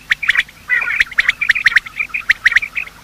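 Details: Quail, male and female, giving morning calls used by hunters as a lure: a dense run of quick, sharp chirps with a short rolling trill near the start, notes spaced about a tenth of a second apart.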